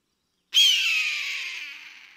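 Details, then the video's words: Eagle on the hunt, flying overhead, lets out one long hoarse scream after half a second of silence, loud at the onset and slowly fading as it drags out for well over a second. "Tiếng chim đại bàng kêu"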